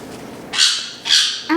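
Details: A pet sun conure, one of three sisters kept indoors, gives two loud, harsh, high-pitched squawks about half a second apart, then starts a third, with faint room noise underneath.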